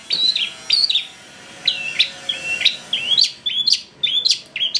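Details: Long-tailed shrike song used to lure a shrike into excited singing. Clear whistled notes, several dipping then rising, come in short groups separated by pauses.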